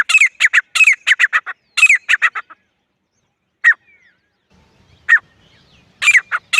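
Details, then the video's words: Grey francolin (teetar) calling in jungle: loud runs of harsh, clipped notes in rapid bursts, a pause of about a second, then further grouped notes; no other sounds. "Francolin calling Voice Jungle"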